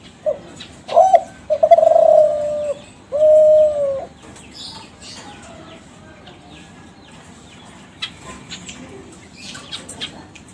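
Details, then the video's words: Captive young Kelantan zebra dove, bred from contest winners, cooing as a lure for other doves: a quick hiccup note, then two drawn-out level coos within four seconds, followed by quiet with faint clicks and rustles. "SUARA DERKUKU KELANTAN TRAH JUARA PANCINGAN SUARA GACOR"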